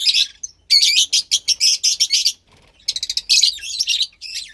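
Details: Fischer's lovebird chick, roughly 15 days old and kept captive, bred from lutino and pastel blue parents, uttering harsh rasping chirps in quick repeated pulses, two long bursts split by a brief pause.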